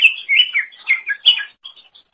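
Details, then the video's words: Greater green leafbird song used as a tutor recording for training songbirds: a dense, varied run of warbled and twittering phrases sliding up and down, in bursts over about one and a half seconds, then a few short trailing chirps. "Kicauan Super Cucak Ijo Gacor Untuk Masteran"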